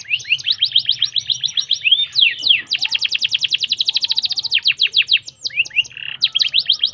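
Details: Canary singing to stimulate canaries: bouncy repeated swept notes, then a long fast trill of sharp falling notes at about three to four per second, ending with mixed chirps and a brief buzz.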